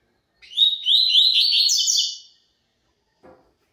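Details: Double-collared seedeater of pure tui tui zel zel song: a roughly two-second phrase of brisk, high, ringing notes repeated rapidly and rising slightly, followed after a pause by a soft knock.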